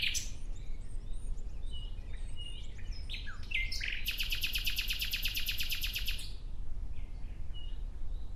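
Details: Nightingale singing outdoors: scattered high whistled and chirping phrases open the passage, then a loud, rapid trill of about fifteen sharp repeated pulses runs for two seconds before softer notes return, over a steady low rumble.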